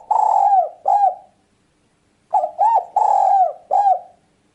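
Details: Spotted dove cooing for luring birds: two phrases of rounded low coos, each a short note followed by a longer drawn-out coo and a clipped ending, separated by a brief silence.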